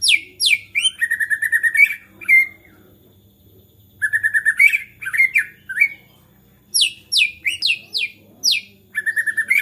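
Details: White-rumped shama singing hard and excitedly, meant to spur other shamas to sing: fast sweeping high notes alternating with quick trilled whistles, delivered in three bursts separated by short silences; low steady hum underneath.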